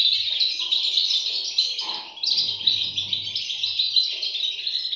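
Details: Chorus of European goldfinch chicks: a steady wash of shrill, rapid chirping from several young birds, with a brief lull near the middle before the high twittering resumes.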